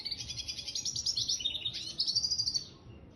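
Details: Red siskin mule hybrid finch singing a fast high rattling trill that shifts into twittering warbles and a sweeping run, ending abruptly with a quieter pause.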